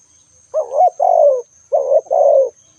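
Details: Two spotted dove phrases in quick succession, each a short wavering coo followed by a longer, gently falling coo, low and mellow, over a faint steady high-pitched hum.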